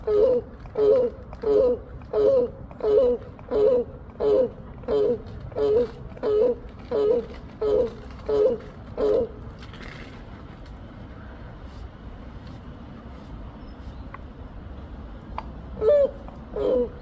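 Black crowned crane giving a rapid series of honking, goose-like calls, then a brief pause.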